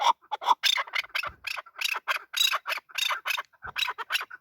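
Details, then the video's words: A male chukar partridge gives harsh, rasping, squawky notes in quick succession, grating and broadband, with a couple of faint low thumps between bursts. "Male chakor voice"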